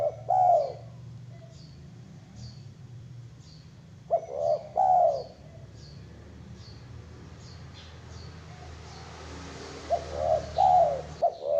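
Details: Zebra dove giving three soft, trilling coo phrases spaced about four to five seconds apart. Each is a quick stutter of notes ending in a drawn-out, slightly wavering coo, with faint ticking and hum between.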